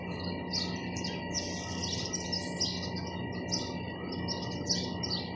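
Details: Sparrows chatter with dense, rapid, overlapping high chirps throughout, layered over a constant low electrical hum.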